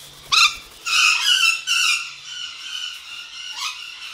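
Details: A male golden conure, about 5 years in an aviary and described as usually quiet, gives a burst of loud, harsh, grating screeches in quick succession, then one more raspy squawk after a short pause.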